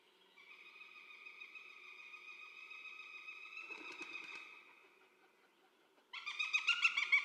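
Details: Female Northern goshawk at a forest feeding station in 2019 gives a long, strained, high wail, then a harsh, rapid cackle of about seven loud notes, the cackle being the species' typical call.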